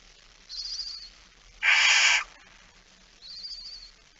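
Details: Barn owl with a mouse, 17 September 2019 at 06:11: one loud, harsh hissing screech between two faint, thin, high trilling chirps.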